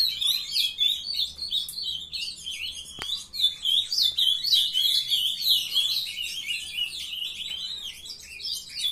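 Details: Young Ultramarine grosbeaks raised in captivity, singing in the early morning. A steady stream of overlapping high warbles and sharp chirps comes in pulsing bursts, with a single click in the middle.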